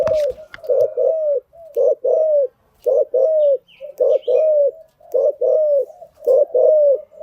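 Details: Spotted dove cooing as a lure for training newly caught birds: a steady series of low paired coos, short note then drawn-out falling note, about once a second.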